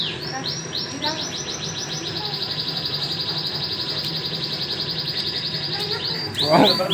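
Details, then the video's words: Canaries, a white one and a crested one, singing a long rolling trill of rapid repeated notes, held steady for several seconds, with a person speaking right after. "White canary and crusted canary are signing very nice"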